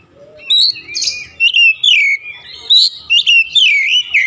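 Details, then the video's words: Oriental magpie-robin singing, used to rouse a stalled, off-form bird into steady song: rapid varied whistles, warbling sweeps and sharp notes delivered in quick bursts about every half second. "Kacer ngedrop macet bunyi sekali dengar langsung gacor"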